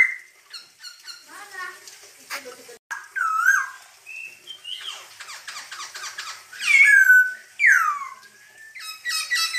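A masked laughingthrush gives loud, varied song: strong downslurred whistles and looping notes mixed with harsh squeaky chatter, in a small indoor space.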